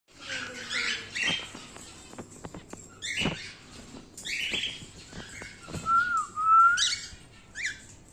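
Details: An adult male normal grey (wild-type) pet cockatiel chatters in harsh, scratchy chirps and clicks, then gives a clear whistled note that wavers down and rises again.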